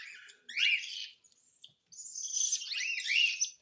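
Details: Cockatiel on hand-feeding giving a raspy, hissing begging burst, a brief pause, then a longer drawn-out grating call with wavering upward slurs.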